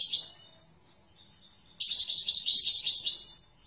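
A European goldfinch gives a brief high note, then a rapid, liquid twittering run of tinkling notes lasting over a second. The background is quiet.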